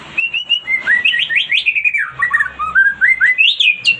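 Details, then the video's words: White-rumped shama song to provoke a response from a silent bird: a short whistled intro, then rapid, bright, slurred notes rising and falling without pause. "MURAI BATU MACET BUNYI LANGSUNG RESPON"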